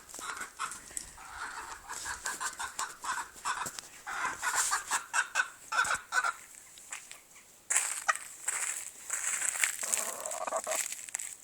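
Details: Silver Appenzeller chicken making noise, a busy run of short harsh clucks with scattered louder squawks, fairly steady throughout, with a brief pause near the eighth second.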